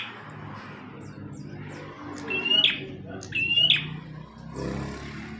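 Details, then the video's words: Bar-winged prinia, offered as master song for teaching caged birds: two clear phrases about a second apart, each a brief level whistle snapping into a harsh buzzy end, with faint high chirps and low steady background hum. "Burung prenjak tamu / prenjak omah gacor"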